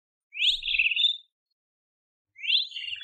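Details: Great kiskadee giving two loud, harsh three-part calls, each opening with a rising note and ending in a buzzy, slightly falling phrase, about two seconds apart in otherwise quiet surroundings.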